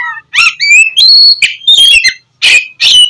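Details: Oriental magpie-robin song used to stir lazy birds into morning singing; rising whistled notes, rasping bursts and chirps in quick succession with short silences between phrases.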